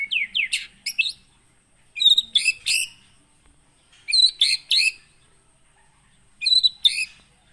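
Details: White-rumped shama from Gunung Leuser, Aceh, a captive bird kept at a farm and caught wild in 2017 at Aih Ilang (Sungai Merah), Pining. It sings loud, high, bursting phrases of whistles and chattering notes about every two seconds, with short silences between.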